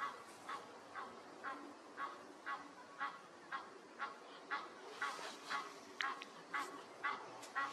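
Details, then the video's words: Egyptian goose calling from a wildlife camera site: short honking notes repeated steadily about twice per second, each a brief harsh burst, over a faint hiss of background noise. "Nilgänse und ihre Rufe"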